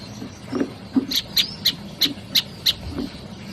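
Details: Olive-backed tailorbird delivering a steady series of single sharp chirps, about three per second, with soft low knocks between them.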